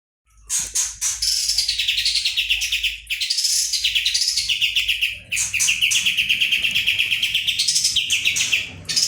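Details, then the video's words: Olive-winged bulbul (kapas tembak) singing actively in a rolling, shooting style, used as a tutor recording to rouse other birds: loud, continuous rapid chattering trills with rising and falling buzzy phrases, briefly pausing near three and five seconds. "kapas tembak gacor roll ngebrn nembak.. masteran ampuh pendongkrak emosi burung lain"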